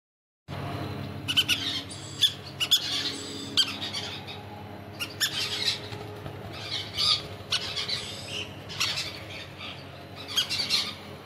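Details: Crimson-bellied conures giving bursts of harsh, high squawking calls scattered through the recording, several overlapping, over a steady low hum.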